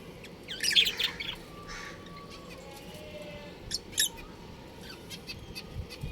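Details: Budgerigar breeding pair kept at home, giving a burst of scratchy high chirps, then a quieter stretch and a couple more sharp calls near the end.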